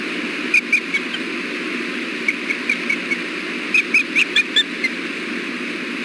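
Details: Osprey pair at the Hellgate nest, afternoon fish delivery with the male offering the female bites; scattered thin high chirps, some in short clusters, spread irregularly across a steady hissing background.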